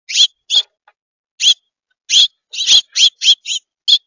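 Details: A flock of finches giving short, bright chirping calls, about ten notes in four seconds, spaced irregularly with pauses and sometimes overlapping, with no other sound in the quiet background.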